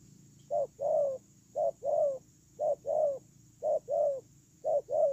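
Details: Spotted dove kept as a decoy for ground luring, cooing rhythmically in short-long pairs, five phrases at close to one per second; soft low notes over a constant high-pitched background tone.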